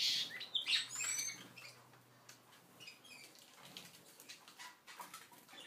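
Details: Several seagreen parrotfinches feeding and interacting give a quick burst of high, thin chirps in the first second or so, then scattered faint tweets over a soft background hiss.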